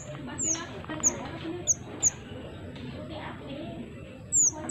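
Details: Pied triller in lively song, kept to attract wild birds: sharp, very high whistled slurs dropping in pitch, spaced irregularly roughly every half second, over a steady low rumble.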